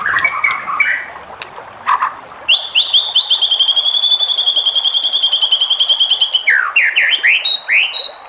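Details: White-rumped shama song used to provoke other shamas into singing: a long run of rapid, evenly repeated high whistled notes near one pitch, then quick falling slurred notes and a sustained high whistle, over a steady hiss.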